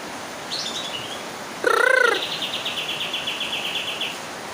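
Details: Bird whose call resembles AK47 gunfire: a short harmonic, arched note, then a fast rattle of high clipped notes repeated for about two seconds, like bursts of shots, after a faint higher whistle.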